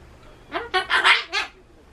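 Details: Solomons cockatoo kept as a pet, which screams whenever loud sounds like election cars or town broadcasts occur; four quick harsh screeching bursts in about one second, in a quiet room.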